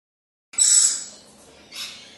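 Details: An immature rainbow lorikeet copying its parents' behaviour gives a harsh, high, rasping half-second screech, then a shorter, fainter screech.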